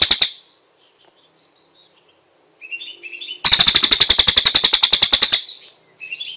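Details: Cililin song used as training material for songbirds: a short high burst, soft scattered twittering and thin whistles, then a loud, fast, rattling trill of about two seconds, followed by rising whistled notes.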